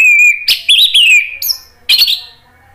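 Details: Captive orange-headed thrush (Geokichla citrina) song used to provoke other thrushes to answer: a loud, varied phrase of clear whistles, buzzy sweeps and sharp high notes, with quick rising and falling slurs.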